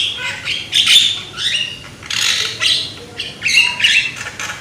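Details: Young Javan myna with a loud voice, used to lure mynas into singing: spaced, husky squawks and short rasping notes in separate bursts, somewhat quieter than the full song.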